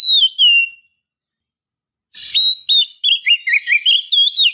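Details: Female Oriental magpie-robin (kacer) calling to lure and stimulate a male into singing: two long falling whistles, a silent pause, then a quick jumble of sharp whistled and twisting notes, roughly four per second.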